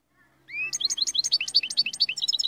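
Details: A Moroccan royal goldfinch starts with a sliding whistled note and breaks into a rapid stream of sharp, high, chattering twitters, about ten notes a second.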